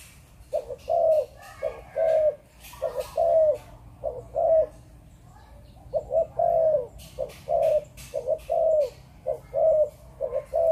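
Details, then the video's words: Spotted dove of Malaysian breeding line, kept in Vietnam, delivering a long series of 'chụp chụp ô' coos: paired short notes then a drawn, slightly falling note, repeated roughly every second, with faint clicks and rustles. "Chim Cu Gáy | Chụp Chụp Ô"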